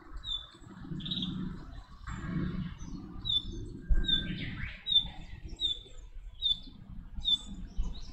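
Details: Chestnut-cheeked starling while raising chicks: thin, high, squeaky notes repeated roughly every 0.7 seconds, with one harsher, buzzier call near the middle, over a low background rumble.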